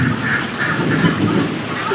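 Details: Domestic ducks, waiting for their food, call excitedly during a late-summer thunderstorm. A rough, repeated quacking chorus, about three calls a second, is half-buried under the steady roar of heavy rain and thunder.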